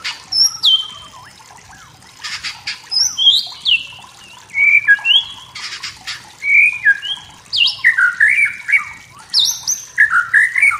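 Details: Wild white-rumped shama singing in forest to provoke rivals: varied whistled and chattering phrases, with high sweeping notes and brief harsh bursts, continuing through the clip.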